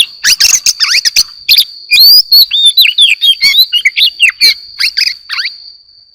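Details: Oriental magpie-robin in the morning, delivering a continuous jumble of loud whistled notes, swooping slurs and scratchy chatter for about five seconds, over a steady thin high-pitched tone.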